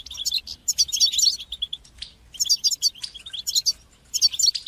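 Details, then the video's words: European goldfinch song in the batbata and satsata styles, played to stimulate goldfinches and teach young birds to sing: bursts of high, bright twittering and tinkling notes, about a second long, separated by short pauses. "تقنيات تحفيز طيور الحسون لتشجيع نجاحها في التغريد بتبتة وستستة"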